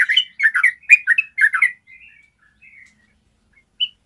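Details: Yellow-vented bulbul in a clear ropel song for training birds. A quick burst of bubbly warbled notes lasts under two seconds, then fades to soft chirps and a single note near the end.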